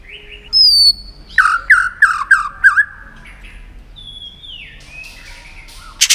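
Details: White-rumped shama making tach calls and flicking its tail, used to rouse another shama to sing in song contests: a sharp high whistle, then a run of five harsh descending chirps, then a falling whistled slur, with quiet gaps between.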